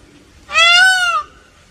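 An Indian peafowl gives one loud, nasal, trumpeting wail lasting under a second. It rises slightly, then sags, over a quiet low background hum.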